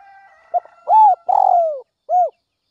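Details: Lure spotted dove from north-western Vietnam calling at dawn: a brief note, an arched coo, a long grating falling coo, then one short clear coo, over a faint continuous hum.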